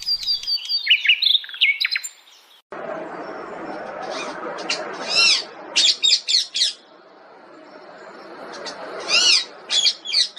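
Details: Pet parrot vocalizing: sharp, high chirps and bent squawks with bright harmonic bands, loud in the first two seconds, then scattered clusters of rapid notes over a steady hissing background, ending with a brisk burst of chirps.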